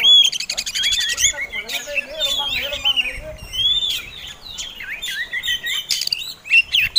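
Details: Oriental magpie-robin fighting song for provoking other birds, starting with a rapid rattling trill, then looping whistled phrases that rise and fall, with scratchy notes between.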